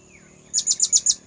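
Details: Lure recording of a blue-crowned hanging parrot, meant to draw birds in: five piercing high squeaky notes evenly spaced at a brisk pace, with a low background hum.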